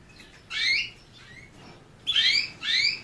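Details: Canary uttering sharp upward-sweeping chirps, one alone then a close pair after a short pause, against a quiet background.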